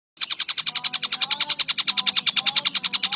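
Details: Collared kingfisher recorded as a model for training songbirds such as cucak ijo, murai batu and kacer: a rapid, harsh, sharply repeated high note, about seven per second, steady throughout.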